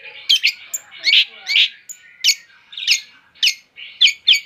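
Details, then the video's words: Song of a long-tailed shrike, made of loud harsh squawking notes given singly or in pairs at irregular intervals of roughly half a second, some with a nasal, buzzy quality. "suara burung pented mewah"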